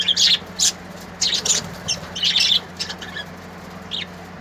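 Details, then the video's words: Colourful birds singing: sharp high chirps and rapid twittering clusters in the first half, thinning to a couple of isolated tweets later, over a faint steady hum. "Beautiful Bird's Singing|सुंदर रंगबिरंगे बर्ड्स"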